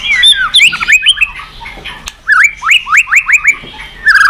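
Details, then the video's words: Highly vocal White-rumped shama singing as a lure for other birds: looping whistled phrases, then a rhythmic run of about six similar upward-sweeping whistles, ending in a low whistled note. "Masteran MURAI BATU super gacor dan istimewa..cocok tuk pancingan burung lain."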